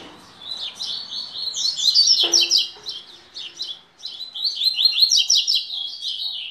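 A double-collared seedeater sings a fast, high twittering song of buzzy, chattering notes, about three per second, with a brief low hum partway through.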